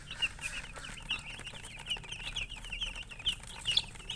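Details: High, thin chicken peeps repeat in rapid succession near a colored hen, with occasional louder sharp notes and a faint low hum.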